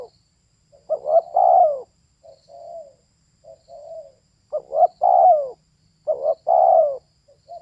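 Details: Female spotted dove cooing in short phrases: a quick rising double note followed by a longer, downward-sliding coo, with softer single coos between. Phrases come about every two to three seconds against a quiet background.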